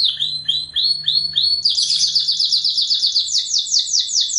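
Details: Canary master song for training young canaries: short whistled notes repeated about three times a second, accelerating into a loud, dense, high rapid trill.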